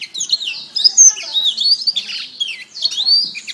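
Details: Canary song meant as a master recording for training: continuous high warbling with quick rising and falling slurs and bright whistled notes, no pauses.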